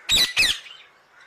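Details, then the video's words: Two harsh, rasping screeches from an Alexandrine parakeet in quick succession, fading into quiet. "Alexandrine Parakeet"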